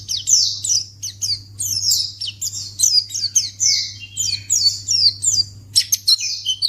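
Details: High-pitched white-eye (pleci) twittering, played to lure others into responding. Quick descending chirps follow one another almost without a break, with a few lower notes and a steady background hum.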